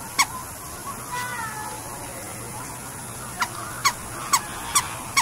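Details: Scarlet ibis calling with a single brief nasal honk, a pause, then a run of five short sharp honks about half a second apart, set against constant hissing background noise.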